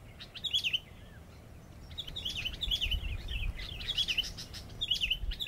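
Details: Sooty-headed bulbul used as a lure bird, delivering a busy run of bright, jumbled whistled notes in close succession, louder toward the end, over a low rumble.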